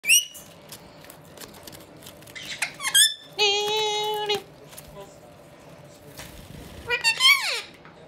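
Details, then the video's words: Two Indian ringneck parakeet brothers chatter indoors: scattered squeaks, then a sustained harmonic squawk near the middle and a steeply falling screech at the end, in a small quiet room. "Indian Ringneck Brothers - just chatting away"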